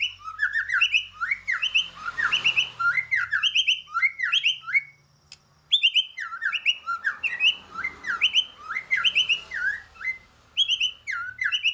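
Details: White-rumped shama giving its fighting song, played to provoke other birds: loud repeated phrases of whistled, sharply modulated notes with harsh overtones, grouped in bursts, a brief pause midway, then renewed phrases.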